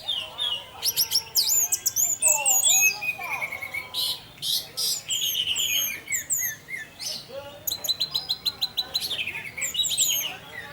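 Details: Orange-headed thrush singing in the intense 'teler' style, used as a lure to spur other thrushes to sing; a dense, varied run of high whistled slurs, rapid trills and sharp chips with brief pauses, fast phrases following one another.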